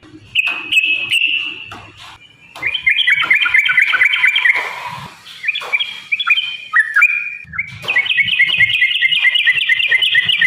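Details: Yellow-vented bulbul singing a long fighting song used to goad other birds into song: a drawn whistle, then fast jumbled chattering notes, a brief quieter gap, and a closing string of quick, evenly repeated bright whistled notes.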